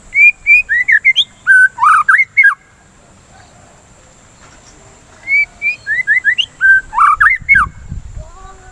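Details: White-rumped shama song for prompting other birds to sing and curbing breeding excitement: two long bursts of fast, varied whistles and slurred notes, separated by a quiet gap of nearly three seconds, with faint rumbling at the end.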